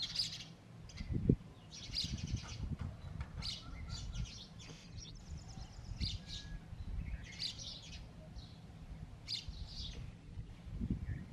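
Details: Sparrows at their nest, one male between two females, sending out bright chirps in scattered bursts, with a thump and steady low-pitched rumble throughout.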